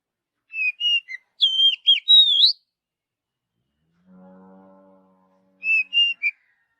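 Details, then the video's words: Oriental magpie-robin, natural forest song: short whistled notes and looping slurred phrases, a steady low droning tone in the pause, then more short whistles. "Kicauan Kacer Alami Di Hutan"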